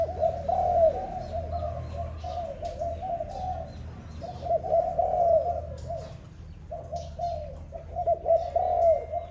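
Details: Dove cooing in the morning, soft, low, rolling phrases, about four bouts in nine seconds, over a faint low hum.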